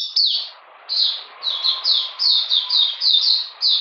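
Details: Oriental magpie-robin singing in cold, rainy weather on 13 June 2020: bright, clear whistled phrases that slide downward, each short burst repeated about once a second after a brief low rasp at the start.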